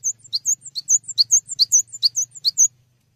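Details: Cinereous tit (gelatik batu) singing steadily, a recording meant for training other songbirds: fast run of high, sharp two-part chirps, about three notes each half second, continuing for nearly three seconds over a faint low hum.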